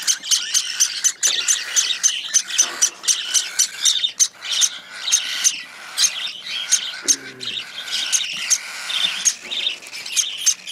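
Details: Hand-fed cockatiel chick begging while eating, giving a dense run of scratchy, rasping calls repeated about twice a second, fairly steady in loudness, with a brief low thump midway.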